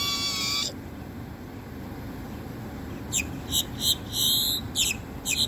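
Great-tailed grackle: a brief harsh, buzzy opening note and a long thin high whistle, then about six rasping, crackling bursts in quick succession.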